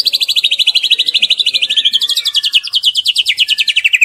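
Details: Young white-rumped shama delivering a sustained rapid trill, notes repeated several times a second, wavering slightly in pitch and dropping lower toward the end.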